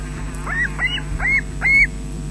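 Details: Osprey at a Scottish nest, Loch Garten, 20 June 2012 midday, adult bringing fish to chicks, webcam sound: four separate slurred, whistled calls rising then dropping, spaced about a third of a second apart, over low hum.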